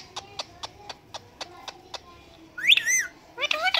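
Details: Pet Indian ringneck parakeet talking and mimicking a cat's meow: a row of short, sharp clicking notes, then two loud, wavering, whining meow-like calls that rise and fall.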